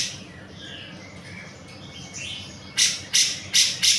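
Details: Grey-cheeked bulbul used as a songbird tutor: soft faint warbling, then four loud harsh buzzy notes evenly spaced about every third of a second.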